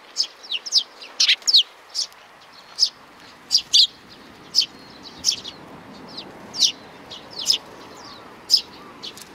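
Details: Sparrows recorded 31 May 2019 at a Tenmangu shrine, Japan, chirp busily. Sharp high tweets, singly and in short clusters, follow one another unevenly throughout, with several birds overlapping and a quiet steady background.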